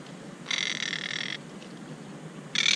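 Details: Nest-building monk parakeets, agitated by a climber and a camera in their tree, give a long grating squawk of nearly a second, then a second loud rasp begins near the end.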